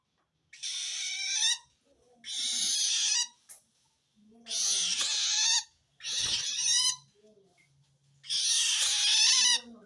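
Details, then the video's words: Threatened long-tailed shrike calling to wild shrikes; five rasping screeches spaced roughly every two seconds, each about a second long, with faint low hum beneath. "suara aneh burung cendet"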